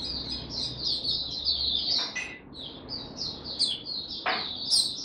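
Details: Singapore white-eye (Mata Puteh) in a cage, singing again on 31 July 2023, delivers a busy, high-pitched unbroken chatter with two sharp clicks mid-phrase.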